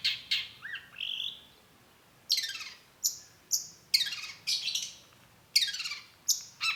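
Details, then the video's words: Long-tailed shrike, known locally as cendet, giving sharp squeaky notes in short bursts separated by brief pauses, a few whistled slurs early on, in a quiet setting. "cendet gacor PANCINGAN LANGSUNG NYAUT || Long-tailed Shrike"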